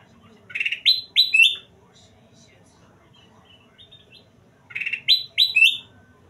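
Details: Golden kutilang, a bulbul, in lively song: a short run of three or four loud, upward-slurred whistles, then quiet faint notes, then the same rising phrase again about four seconds later.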